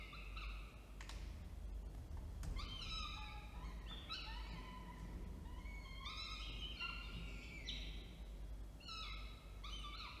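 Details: Male falcon delivering food and female feeding, Orange, New South Wales, 19 October 2024. Almost continuous series of harsh, wailing calls, some rising or bending in pitch, repeated in quick succession throughout, over a low background hum.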